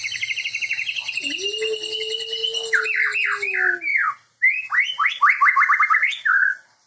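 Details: White-rumped shama (Copsychus malabaricus) singing a rich, varied song: a fast chattering trill, then a string of quick slurred whistles, over a steady low whistled tone.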